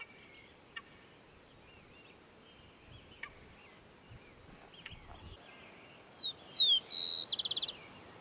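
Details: Rufous-collared Sparrow singing in the woodland meadows of Isla Teja, Valdivia, Chile, on a January summer day. Faint background chirps, then two clear downslurred whistles followed by a short, dry, rapid trill near the end.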